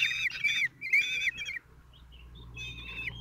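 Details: Kestrel nest in Théding, France, June 26, 2023, father feeding four young aged 16 days: two loud drawn-out whining calls, then quieter faint squeaks and a softer final whine.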